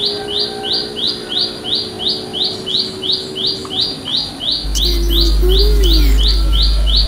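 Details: A wild olive-backed tailorbird in village countryside repeats a loud, high, sharp chip about three times a second, a call said to draw other birds to answer; faint lower whistles join near the end over a low rumble.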